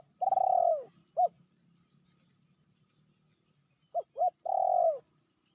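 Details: Medium-pitched cooing from a female spotted dove said to be more ferocious than males: a long falling coo with a short note after it, then a pause and two clipped notes leading into another long coo.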